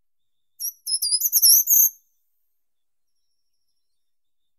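A short-toed treecreeper sings one brief, very high phrase of thin notes that climb and quicken.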